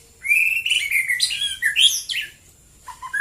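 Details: White-rumped shama in the morning delivering one rich phrase of fluty whistles that step down in pitch, mixed with bright high trills, and ending in a couple of softer lower notes.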